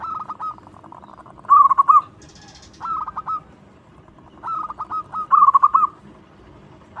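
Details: Loud-voiced local zebra dove singing to draw out other doves: short bursts of quick stuttering coos alternating with smoother rolling notes, in phrases separated by brief pauses.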